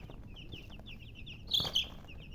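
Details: Baby chicken chicks chirping: a steady run of short, high, thin peeps repeated several times a second, then a louder, sharper pair of peeps near the end over a low background hum.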